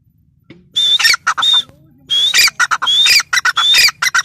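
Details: Grey francolin calling loudly: harsh, shrill notes with a high whistled edge, given in two rapid bursts separated by a brief pause.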